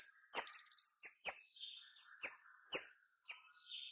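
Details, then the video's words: White-rumped shama lure recording, used to prompt other shamas to sing: a dense burst of sharp, high whistled notes, about two per second, with shrill downslurred phrases and soft buzzy notes between. "pancingan kemade nembak suara rapat cocok untuk pikat kemade lain agar lekas gacor"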